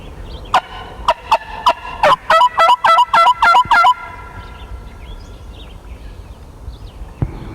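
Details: A wild turkey about 50 yards away on a foggy hunting morning with decoys, one of 56 gobbles, gives a rapid, rattling burst of about a dozen loud throaty notes over three seconds, then quiet woods and a faint click.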